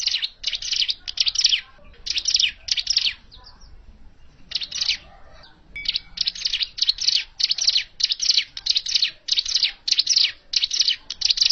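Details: Natural hill prinia call for trapping: long series of harsh buzzy chips, a short lull near the middle, then a fast regular run to the end.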